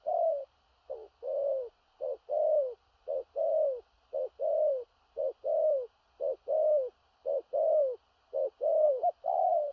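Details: Spotted dove in 'thổ rặc' style, uttering a long run of deep paired coos, each a quick note and a longer gently falling one, about one pair per second. A faint steady high hum lies underneath.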